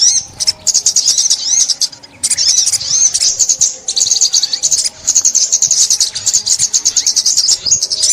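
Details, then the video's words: Sunbird song from a 2021 trapping recording: long strings of fast, thin, high twitters with a few short gaps, steady and energetic throughout. "Tiếng Chim Ốc Mít"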